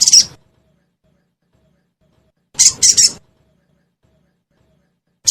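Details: Pancingan (lure) recording of a sogon meant to set caged birds singing: a sharp high chirp, then a quick three-note burst of buzzy chirps, then another chirp, each separated by long silent gaps.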